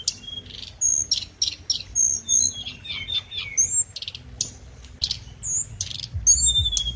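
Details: Lure song of the scarlet minivet: high, clear whistled notes alternating with short chattering bursts and quick downward slurs, repeated in loose phrases over a soft low rumble.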